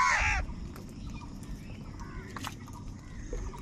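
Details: Crows fighting for food: one crow gives a loud, harsh, hoarse caw at the start, followed by fainter distant calls over a steady background hum.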